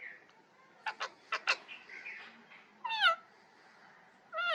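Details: Parrot giving a run of short raspy squawks, then a loud harmonic squawk that sweeps downward, and a final strident call starting abruptly at the close.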